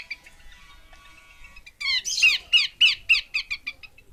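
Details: Female Horsfield's babbler giving a run of about eight harsh, buzzy notes, each a steep downward sweep, spaced roughly three to a second after a quiet faint start.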